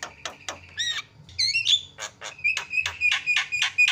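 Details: Lure calls of a Javan myna, played to provoke other birds into calling: sharp clipped notes and a few whistled, wavering slurs, then a steady series of harsh chirps about four per second.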